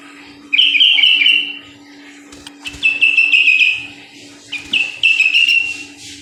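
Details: Sooty-headed bulbul in lively, nonstop song: three bursts of bright, warbled whistles, each about a second long, separated by short pauses, over a constant low electrical hum.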